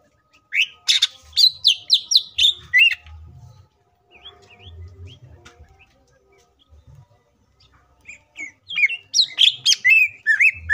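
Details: Green leafbird song used as a lure to make other leafbirds sing: a burst of rapid, loud whistled notes sliding down from high pitch, a quiet gap with faint low rumble, then another run of sharp chattering whistles.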